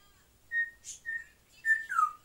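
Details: Pet African grey parrots indoors: four clear mid-pitched whistles, the last one sliding downward, with a short breathy squeak in between.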